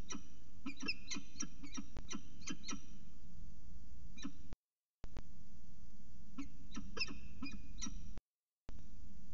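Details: Peregrine falcon at a nest site in Orange, early morning at 5:29 am on 25 December 2019, making soft chattering calls: short harsh notes in an irregular series with a few pauses, over steady low background hum.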